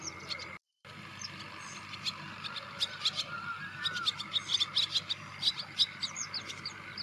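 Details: Wire-tailed swallow calls as bright, clipped chirps strung into fast irregular runs, growing busier toward the end, with a brief silent gap near the start and a steady background drone.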